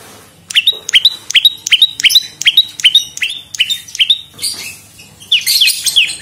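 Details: Olive-backed prinia (prenjak lumut) song used to lure and tutor songbirds: loud, rapid, ringing high chips, each dipping then flattening, repeated steadily, ending in a denser burst of higher scratchy notes.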